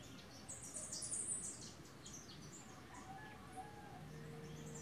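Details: A male Tennessee warbler, hidden low in the brush among migrant flocks preparing to head north, on a farm in Boquete, Panama, 11 March 2018, gives a short burst of very high, rapid chips. Softer calls from other birds and a low hum continue.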